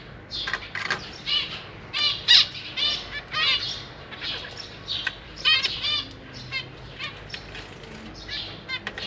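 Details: Captive zebra finch parents busy feeding their babies, newly fledged young hopping and practicing flight: dense, repeated buzzy chirps and harsh nasal calls through nine seconds, with frequent wing flutters.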